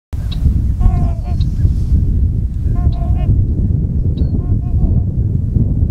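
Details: Sandhill crane taking flight at Tyre, New York, on April 19: two short bursts of rolling, rattling, harmonic calls early on, with fainter notes later. Strong wind rumble runs throughout.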